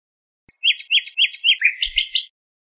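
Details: Nightingale song from a song tape, a row of evenly spaced repeated notes that drops into a lower sweep and ends in quick bright notes, with two soft low knocks.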